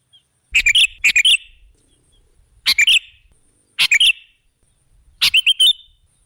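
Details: Sooty-headed bulbul played as a decoy to draw other birds: four bubbly, clipped phrases of two or three notes each, spaced by short pauses, with faint low rumble underneath.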